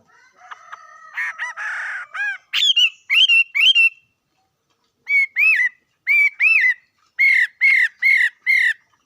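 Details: Loud whistled bird song: a buzzy opening, then clear curved notes sung in pairs and short groups, separated by brief pauses and repeated about every second.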